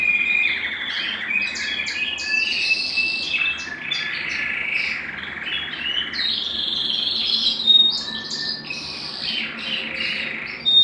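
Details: Belgian canary song to rouse males and bring females into breeding condition: a busy mix of chirps, short whistles and rolling notes, irregular in rhythm and steady in loudness throughout.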